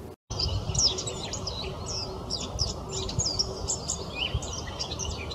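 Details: Singing Eurasian blackcap, a fast, continuous, high warble of varied chattering and whistled notes over a steady low rumbling background noise.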